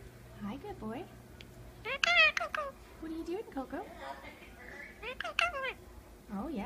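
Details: Pet Indian ringneck parakeet talking, laughing and whistling, umbrella cockatoo in the background; a busy run of varied speech-like syllables, rising and falling whistled notes and loud harsh bursts, almost continuous throughout.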